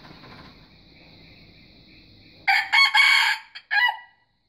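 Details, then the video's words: After two seconds of faint background hum, a white junglefowl gives a loud, raspy crow in three parts, with a stuttered start, a sustained strained middle and a short clipped ending. "Kokokan Ayam Hutan Putih"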